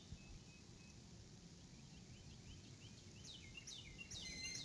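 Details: Adult female eagle calling as she comes to the nest, April 2018 evening, live nest camera; soft scattered chips, then a late burst of shrill, quickly repeated falling notes, with constant low rumble.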